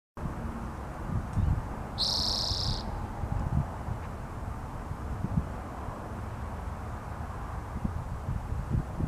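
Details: Spotted towhee, the bird known as the Teapot bird, gives a single buzzy, drawn-out high note lasting under a second, set against a steady low rumbling background noise.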